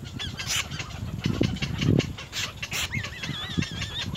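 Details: Little egret chicks at the nest trying hard to bite their mother; harsh broadband bursts and low thumps, then wavering whistled calls near the end.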